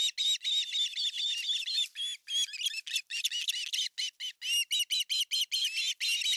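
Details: At an osprey nest in Finland on 18 August 2020, with the male delivering a giant fish: dense, excited squealing chirps run almost without pause, harsh and high, broken only by brief gaps.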